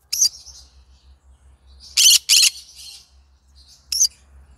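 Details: Yellow-sided green-cheeked conure singing, giving a sharp screech, soft raspy chatter, then a loud paired harsh squawk, more murmuring and another short screech, over a steady low hum.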